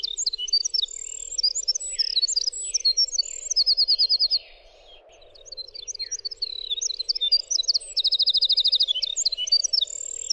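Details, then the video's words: Long, clear stretch of winter wren song for tutoring songbirds: tinkling, high-pitched phrases packed with quick trills, a short lull near the middle, then another run of rapid rattling notes and bubbly twitters over a low hum. "suara winter wren"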